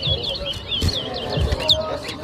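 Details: Chestnut-bellied seed finch (towa towa) in a bird whistling competition at Rosehall, Guyana, 2023: rapid, high, twittering whistled phrases rising and falling, with low thumps and people talking nearby.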